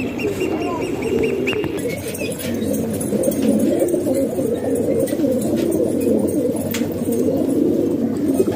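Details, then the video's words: House-kept pigeons in Pakistan, several birds cooing at once in deep gurgling phrases, with a faint high whistle early on and light scuffing noises. "Pigeon Sound"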